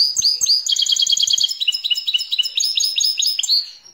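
A goldfinch-canary hybrid sings a fast, high, unbroken song of rolling trills and quick repeated twittering notes, with no other sounds.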